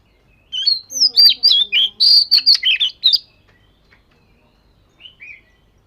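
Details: Oriental magpie-robin, fish-scale type, practising its song: a brisk, varied run of high whistles and chips for about three seconds, followed after a pause by two soft, short whistled notes.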